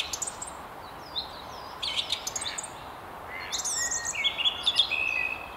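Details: From the top of a tree near Haddington along the River Tyne, a song thrush sings varied phrases: high thin notes, a brief pause, then sharp clustered notes and a ringing repeated figure at the end.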